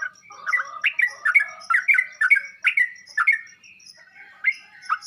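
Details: Sooty-headed bulbul, recorded as training song to make kept birds reply: uneven groups of clear, slurred notes rising then dropping, separated by short gaps, with a quieter trailing phrase.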